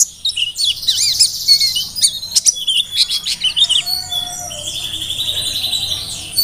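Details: A mountain white-eye (Merapi, Ngalas-type bird) sings persistently, a fast, high, tumbling twitter of thin chirps and short trills, then settles into a thinner sustained warble. No other sounds stand out.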